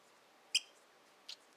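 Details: During indoor hand-feeding of five pearled cockatiel chicks, a cockatiel gives one sharp, high chirp, then a fainter, softer note less than a second later, in an otherwise quiet room.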